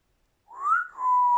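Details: Grey parrot gives a smooth whistle that climbs, dips briefly, then settles into a long steady tone.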